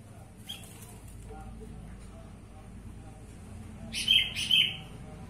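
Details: A pair of sharp chirped notes from a black-winged bulbul, about half a second apart, after a few seconds of low hum and faint knocks.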